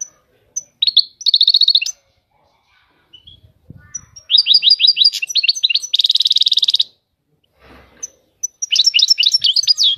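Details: European goldfinch singing high maqamat phrases: ringing rapid trills and bursts of bright twittering separated by short quiet gaps, with faint low knocks in the background.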